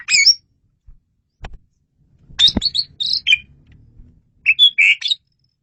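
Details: Clear, loud Asian pied starling song for luring birds: high squeaky whistles, then a run of chirpy, slurred notes, with soft clicks and a low murmur between phrases.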